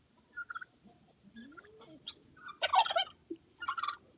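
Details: Turkey sounds with scattered short yelps and a rising squeal, then a harsh rolling gobble and a second shorter rattling burst, low background noise throughout.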